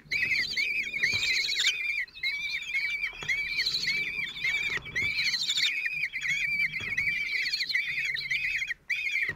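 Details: Common kestrel young, four at 16 days old, fed by their father at a nest in Théding, 26 June 2023: persistent, arched high squeals repeated rapidly, layered over one another, with soft knocks between.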